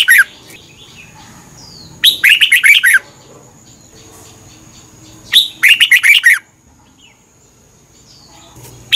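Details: Caged Red-whiskered bulbul from Thailand singing a song meant for tutoring or rousing other birds; quick chirpy warbled phrases of about a second, repeated after three-second pauses, over a thin constant high tone.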